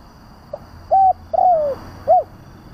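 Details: Spotted dove calling as a lure to provoke rival doves: a faint short note, then a level coo, a longer downslurred coo and a final arched coo in one phrase; low hum underneath.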